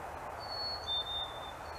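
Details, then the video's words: A single fee-bee phrase from a black-capped chickadee, part of an exchange between birds: a pure, high whistled note followed by a slightly lower, longer whistle, over faint background hum. "Chickadee Singing fee-bee/cheeseburger Call"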